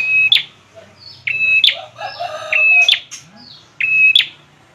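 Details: Bar-winged prinia singing: four repeated phrases, each a flat, steady high whistle ending in a sharp, sweeping upward note, roughly every second and a quarter, with faint softer twittering between them.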